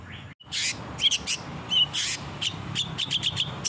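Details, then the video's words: Energetic song of a long-tailed shrike, meant to train caged birds to answer: loud broadband rasping bursts mixed with sharp whistled chips and short twittering notes, over a constant low background drone. "CENDET GACOR.!!! masteran burung cendet di jamin langsung nyaut"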